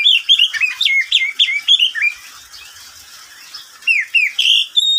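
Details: Pet oriental magpie-robin heard at midday, delivering quick sequences of sweet, slurred downward whistles, then a pause, then several more whistles closing on a steady high note.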